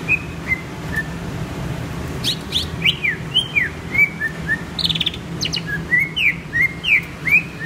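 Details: Greater green leafbird song: bright whistled phrases mixing short downslurred notes with fast buzzy upsweeps, repeated in quick succession with brief gaps, over a low steady background hum.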